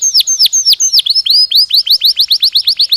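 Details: A Belgian canary sings naturally, giving loud, sharply falling whistled notes in a quick uneven series that settles into a regular rapid rhythm.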